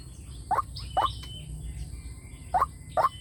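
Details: Lure recording of a white-breasted waterhen for attracting wild waterhens: two short hollow notes, a pause of over a second, then two more, with soft high whistles of other birds in the gaps.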